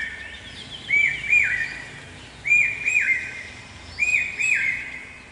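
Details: Male common hawk-cuckoo, the brainfever bird, calling on a campus: loud, clear, ringing phrases of two stepped notes, repeated three times at roughly one-and-a-half-second intervals, over quiet background.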